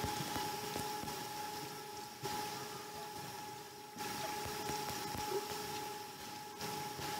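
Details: Electronic hum with steady tones and rushing background noise that rises and drops in level, with no bird calls.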